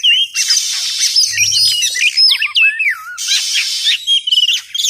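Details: Oriental magpie-robin sound for luring birds into traps, varied whistles with sliding, wavering phrases and sharp chips set against harsh buzzy rasps, with a brief faint low hum early on.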